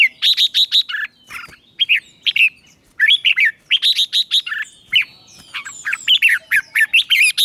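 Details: Red-whiskered bulbul, ché-style morning song used for training: near-continuous chattering of quick, bright, slurred whistles, with rising and falling notes strung together over several seconds.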